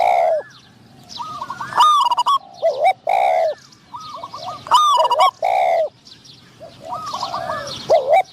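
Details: Spotted doves calling during decoy trapping, a decoy bird luring a wild dove described as having a middle-pitched voice; loud, mellow, bending coos with harmonics come in phrases about every three seconds, with high chirps between.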